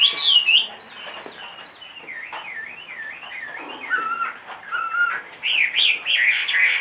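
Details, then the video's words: Big-bodied 2.5-year-old Chinese hwamei, kept caged, sings a string of wavy looping whistles that rise and fall in a steady rhythm, with a few lower downslurred notes, then louder, higher warbled phrases at the end. "HM 450 hót mọi địa hình"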